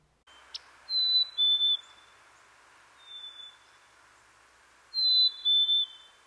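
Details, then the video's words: Black-capped Chickadee giving its signature springtime 'cheeseburger' song in a central or eastern US backyard: clear, pure whistles, a high note dropping to a lower one, sung twice with a softer single whistle between, over a faint steady hiss. "although you may have chickadees in your yard year round during spring they make their signature Springtime call that can sound like cheeseburger"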